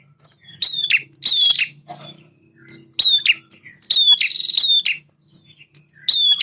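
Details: Male bar-winged prinia in vigorous song, meant to trigger young birds to answer: clusters of harsh, buzzy high notes with thin whistled lines, delivered in bursts with short silences between.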